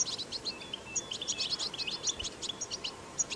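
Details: European goldfinch in the wild giving a brief burst of 'batbata' song: dense, rapid, high tinkling chirps with a few short level whistled notes, over faint hiss.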